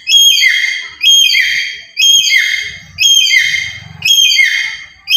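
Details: Black-capped lory, a very active caged bird kept as a lure for trapping other birds, giving loud whistled calls that slide downward with a rough edge, about one per second, five in a row.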